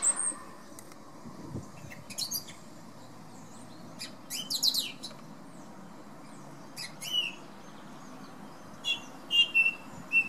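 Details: A thrush sings in the morning outside a bedroom window on a windy day. High, varied notes and short phrases come in scattered bursts over a steady roar of wind.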